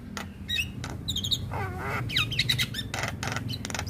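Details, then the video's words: Javan myna chattering song for tutoring young birds: mixed whistles, a wavering downslurred note and harsh bursts over a steady low background hum. "MAsteran Burung Jalak Muda Agar Cepat Gacor Mompa Dengan Ocehan Jalak kebo Mata Putih"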